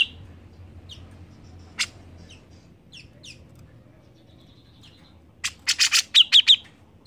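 A grey-cheeked bulbul gives scattered thin chirps, then a closing burst of five or six loud, harsh notes with quick rising whistles.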